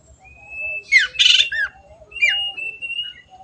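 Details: Long-tailed shrike song: a thin steady whistle runs beneath bursts of harsh, buzzy notes and short down-slurred chirps, then a second whistle follows with another brief rasping phrase.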